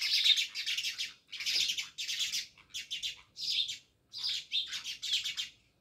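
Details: Several house sparrows living near a village house in Jamnagar chirp in steady clumps of harsh high notes, each burst lasting under half a second with short breaks between.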